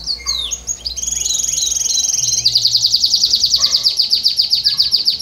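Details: Canary singing loudly: varied high chirps and short sweeps, then a long rapid trill of evenly repeated high notes running to the end.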